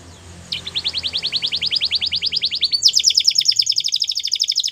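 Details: Steady rapid trill of a Belgian canary, about three notes per second, shifting to a higher and faster rattling phrase over faint background hum.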